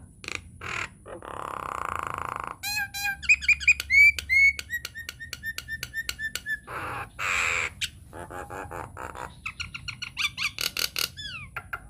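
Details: Nias hill myna singing as a master recording to draw song from other mynas: loud squawks and a rasping buzz give way to quick clicking whistles, repeated sharp notes and a fast run of high chirps.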